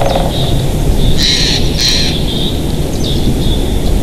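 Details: Nesting pair of bald eagles in Big Bear Valley on a live nest cam, 7 March 2023, late morning: two quick high, squealing call bursts about half a second apart amid loud, steady wind roar.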